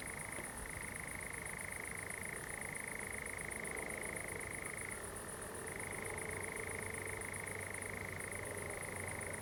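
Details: Common nightjar singing at night on 7 July 2020 in a pine plantation at Zamudio, Txorierri, Bizkaia, among glowing fireflies; an unbroken, steady churring trill holds one level, dipping briefly lower twice, over a constant high pulsing insect-like buzz.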